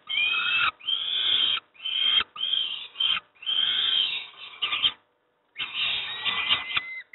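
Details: Peregrine falcon youngsters receiving breakfast at Moszna, Pruszków, in Poland utter a run of hoarse, grating screeches, each about half a second to a second long, broken by one longer pause.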